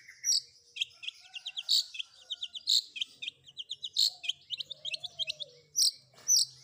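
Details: Long-tailed shrike isian combination song with rapid ticking trills of high chips, punctuated by loud harsh bursts, over faint low whistles and a soft hum.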